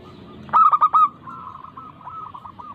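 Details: Local zebra dove, used to set lazy doves singing: one loud burst of four ringing staccato coos, followed by faint, evenly repeated softer coos.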